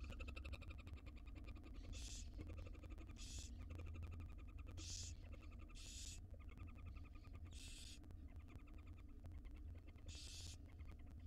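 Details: Tiny wild barn owl nestlings begging as their mother feeds them in a nest box: six rasping, hissing screeches spaced roughly every one to two seconds, set against a steady low hum.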